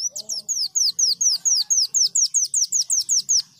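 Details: Leafbird singing in canary imitation: a regular string of bright, high whistled notes, each sliding downward, about four per second, with faint low background murmurs.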